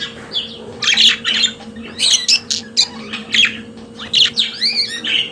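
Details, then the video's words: Pet budgerigars singing: squawky notes mixed with clicking chirps and a few wavering whistled warbles near the end, over a low background hum. "Periquito Australiano de Estimação Cantando Som de Pássaros de Periquitos Naturais"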